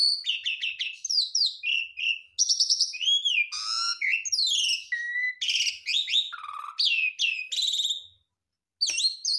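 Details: Jalak suren, the Javan pied starling, pouring out full isian of borrowed phrases: rapid chirps, arching whistles, buzzy harmonic notes and a low slurred whistle, packed densely, then a short silence and a final sharp chirp.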